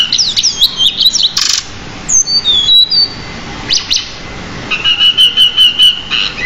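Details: Pied bushchat in an energetic training song with fill-ins. Zigzag whistles and quick downward slurs give way to a series of short pulsed notes, about six evenly spaced in the last two seconds.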